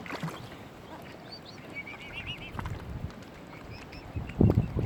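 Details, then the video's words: Young mute swans, cygnets on Kinnego Bay beside Lough Neagh, Oxford Island Nature Reserve, County Armagh, Northern Ireland. A quick run of high, slightly rising peeps is heard over soft lapping water. A loud bump of noise comes near the end. "MUTE SWAN CYGNETS"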